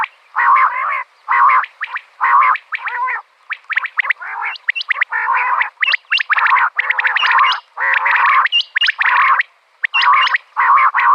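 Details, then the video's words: Female common quail, a call used in quail hunting. Repeated half-second nasal, harmonic bursts alternate with clusters of quick sharp chirps and upward flicks, with short silences between phrases, for about eleven seconds. "Batair Ki Awaz | Batair Ki shikar ki liye Behataran Awazay| Common Quail Calling 2020|Female Batair|"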